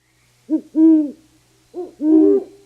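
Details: Great horned owl song, rendered as "who cooks for you": four deep, mellow hoots in two pairs, each a short note then a longer arched one, with the pitch swelling and falling.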